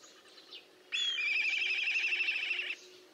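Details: Black kite recorded 4 September 2022 gives one high whistle sliding down into a long, quavering, whinnying trill of nearly two seconds; Eurasian golden oriole, common nightingale and house sparrow faintly audible in the background.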